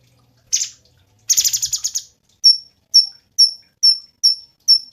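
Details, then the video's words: Cungkok song for training songbirds: a short buzzy burst and a longer rattling chatter, then six clear high whistled notes spaced about half a second apart. "SUARA BURUNG CUNGKOK SUPER GACOR"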